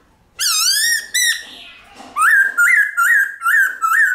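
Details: A White-cheeked laughingthrush sings in forest style: two bright upslurred whistles, a short gap, then a lively run of five quick rising-and-falling notes.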